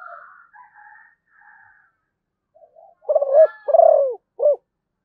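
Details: Faint chattering from other birds first, then a zebra dove gives a clear song phrase: stuttered low coos, a long rolling coo slipping downward, and a short closing coo.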